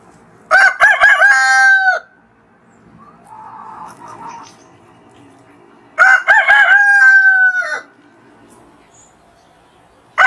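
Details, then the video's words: Rooster crowing in the morning in anticipation of sunrise: two complete crows about four seconds apart, each with stuttered opening syllables and a long, slightly falling held note, with soft murmuring between them. "Rooster Crows - For Wake You Up"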